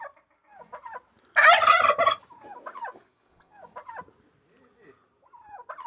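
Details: Turkey with a loud, rattling gobble burst lasting under a second, surrounded by softer scattered clucks and yelps.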